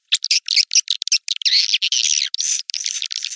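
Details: White-nest swiftlet giving high, scratchy chirps in quick short bursts that run together into a buzzy, wavering twitter.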